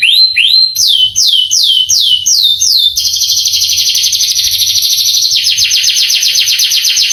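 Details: Male canary master song aimed at making young canaries respond: an upward note, a series of clear falling slurs, then a long rapid pulsing trill.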